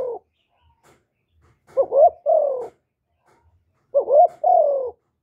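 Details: Spotted dove calling as a decoy for other doves: two separated phrases, each a quick wavering double note followed by a longer descending coo, with a pause of about two seconds between them.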